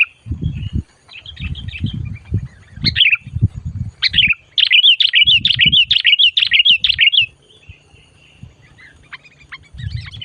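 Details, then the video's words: A sooty-headed bulbul, lured for trapping and chattering aggressively, delivers a fast, steady series of sharp, bouncing chirps for about three seconds, preceded by scattered calls, with low thumping and rustling before and after. "SUARA BURUNG MACIT DISAAt DIBAWA MIkat"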